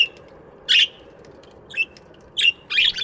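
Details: Budgies in an aviary in the morning: short scratchy chirps at about 0.7, 1.8, 2.4 and 2.8 seconds, separated by quiet gaps over a low steady hum.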